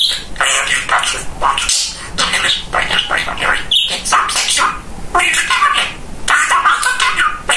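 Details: Chatty male pet budgerigar mimicking speech: fast, raspy, high-pitched babble of word-like syllables with sharp squeaky notes, running continuously throughout.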